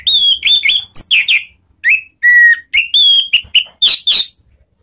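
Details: Orange-headed thrush (Anis Merah) ngeplong lure song for triggering singing: a continuous fast medley of whistled notes, rising and falling slurs, and short buzzy bursts.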